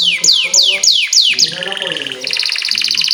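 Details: Canary lure song for teaching young canaries: four loud high whistles sweeping downward, followed by a rapid pulsing trill and then a brighter, faster trill, over some low background sounds.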